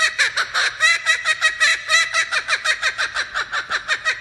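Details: Male laughing kookaburra (Dacelo novaeguineae) from Australia, blue-marked male, giving its loud cackling laugh: rapid, harsh, chuckling notes about four a second, rolling on without a break.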